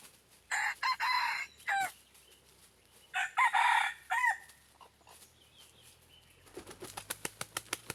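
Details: Red junglefowl crowing, a decoy bird used to lure wild junglefowl: several harsh, broken crow phrases in the first half, a pause, then a run of sharp rapid clicks or wing-flaps near the end.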